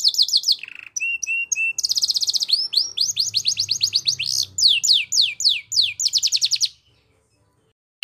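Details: Kenari canary singing energetically in the luxurious 'cengkok mewah' style. Quick falling notes give way to a brief low buzz, three flat whistles and a dense high trill, then a varied series of rising and falling slurs. The song stops abruptly near the end, followed by silence.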